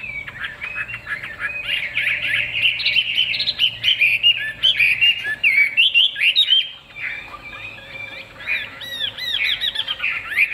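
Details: A big-tailed Chinese hwamei pours out a loud, rich song of fast whistles, trills and slurred phrases, high and varied, with brief pauses between bursts.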